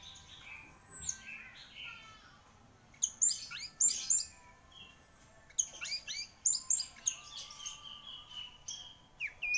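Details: Orange-headed thrush, the prize-winning "anis merah" songbird, sings bursts of sharp, high twittering notes and quick whistles in clustered phrases, with brief pauses between groups and a steady low hum behind.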